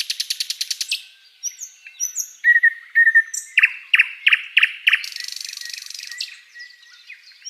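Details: Flycatcher song for tutoring captive birds: a fast rattling trill opens, then high whistled slides, a series of loud rich chip notes, and a long hissing buzzy trill with faint twittering after.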